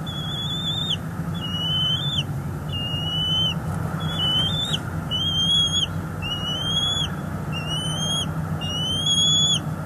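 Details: Bald eagle nest in northeast Florida, February 2022, during feeding of two eaglets by an adult. Repeated piercing whistled notes, each slightly rising and sliding, in a series of about eight with short gaps, over low steady rumble.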